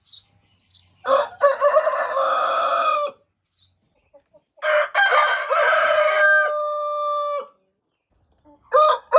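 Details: Two full rooster crows about four seconds apart, each a stuttered start followed by a long sustained harmonic note, with a third crow starting at the very end.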